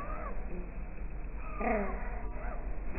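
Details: Eurasian coots fighting fiercely over a pond territory after a family with three nearly grown chicks moved in: a harsh, nasal call with a few brief, sharp notes, largely buried under a low rumble of splashing water.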